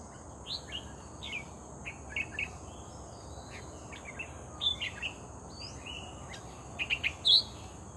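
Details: Red-whiskered bulbul, vocal bird caught during trapping, delivering scattered short chirped and whistled notes, often in quick pairs or triplets, growing louder toward the end, with a constant high insect-like hum behind.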